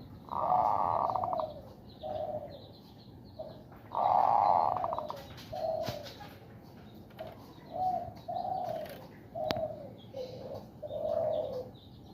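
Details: Caged zebra dove in breeding condition, in a woven bamboo cage, coaxed by hand into bekur cooing and ngerot: a series of mellow low coos, some ending in rapid rattling pulses, irregularly spaced over twelve seconds, with one sharp click.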